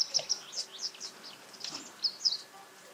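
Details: Japanese Wagtail calling, heard alongside White Wagtail calls: scattered high, sharp chirping notes, some paired, loosely spaced over three seconds, with soft faint background hiss.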